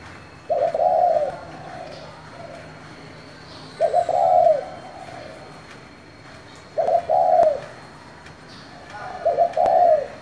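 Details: Spotted dove with the 'giọng thổ' voice style, calling to provoke other doves: four low cooing phrases about three seconds apart, each a stuttered opening followed by a longer, slurred, drawn-out coo.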